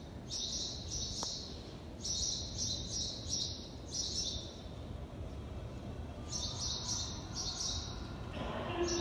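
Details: Sparrows at the Prophet's Mosque in Medina, Saudi Arabia: short high chirps given in quick clusters, a steady low background hum beneath them.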